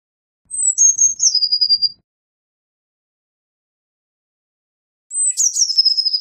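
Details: Eurasian blue tit giving high descending phrases: stepped thin notes dropping into a rapid trill, a long silence, then another phrase beginning with a sharp burst and running into a quick rattling trill.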